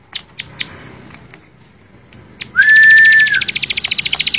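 Bar-winged prinia: a thin high whistle, then a steady held whistled note, breaking into a fast buzzy trill of about fourteen quick pulses.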